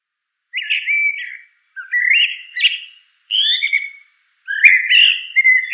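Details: Common blackbird singing four short fluted, warbling phrases separated by brief pauses, each ending in a higher twittering flourish, against a completely silent background.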